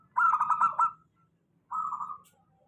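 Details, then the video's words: Local zebra dove cooing, used as a lure for doves that sing little: a rapid burbling run of pulsed coos at one steady pitch lasting under a second, then after a pause a shorter rolling phrase that fades away. "suara pancingan perkutut lokal. suara stabil cocok utk perkutut malas bunyi"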